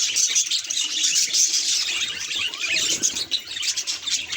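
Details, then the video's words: Pet budgerigar reacting to a mirror, giving continuous high twittering with a few bright whistled notes early on, then softer, more broken chatter at the end. "Budgie Mirror Reactions Hilarious Sound Effects!"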